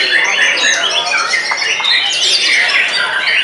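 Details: White-rumped shama, just after its moult, singing in a frenzied, dominating way: dense, loud stream of bright whistles and harsh squawky notes, sweeping fast up and down with hardly a pause.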